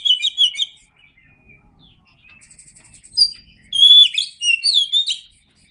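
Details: Kacer, the Oriental magpie-robin, sings a masteran training recording: a quick chattering phrase opens, then a short pause with soft ticking, followed by loud, varied whistled and warbling notes for about two seconds.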